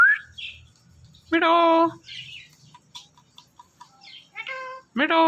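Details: Indian ringneck parakeet talking: a rising squeak opens, then a strong harmonic, voice-like drawn-out syllable near the middle and a sharp upswept harmonic note at the end, with soft chatter in between.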